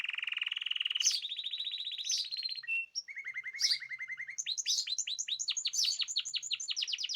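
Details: Caged birds singing together, recorded 14 March 2026: a steady buzzy trill near the start, then rising whistled notes, a low rattling stretch, and a fast run of sharp sweeping chirps repeated several times per second.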